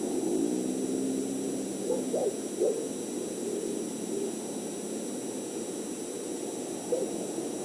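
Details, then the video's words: Montana nest-cam recording of great horned owls mating at about 6:40 pm, 8 March 2019: the male's wavering whistles bend up and down during the first two seconds, followed by a few scattered faint notes over broadband camera noise. "Love & the Tea kettle"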